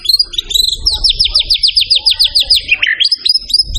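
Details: A white-rumped shama in full song, recorded to teach other songbirds its repertoire. Rapid repeated downslurred notes roll in a steady series of about fifteen, followed by a dip into lower tones and bright ringing whistles, with low background hum.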